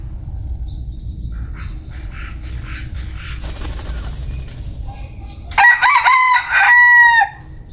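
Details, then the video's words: Bantam rooster crowing: a single loud, harmonic-rich crow lasting about one and a half seconds near the end, rising then holding and breaking in pitch, preceded by faint scattered chirps and a brief rustling, wing-flap-like burst. "Tiếng gà tre gáy"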